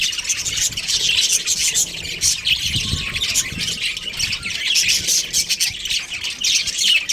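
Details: Chirping from a breeding pair of budgerigars, a busy, unbroken stream of shrill tweets and harsh squawks layered over one another, with faint low rumbling underneath.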